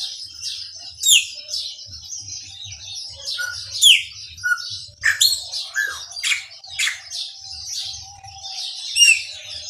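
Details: Maranhãozinho song from a chopi blackbird: spaced loud whistled slurs and short mellow notes, some clusters of quick chirps, with a faint low hum and persistent hiss.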